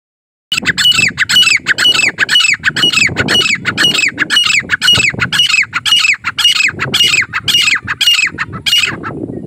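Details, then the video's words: Grey francolin calling, with harsh, ringing notes repeated steadily about twice per second for nine seconds. Each note is squawky and strongly harmonic, with a quick upward inflection. A low rumble of background noise runs underneath. "teetar ka awaz calling Partridge sounds Francolin voice"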